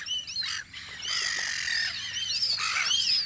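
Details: Gulls crowd the air on Audru polder in spring, rapid bent mewing cries overlapping with a rushing, broadband burst, the calls coming several per second.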